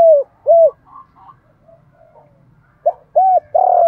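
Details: Spotted dove cooing to lure other doves; two short arched coos, a stretch of faint soft notes, then another burst of clipped coos leading into a longer drawn note.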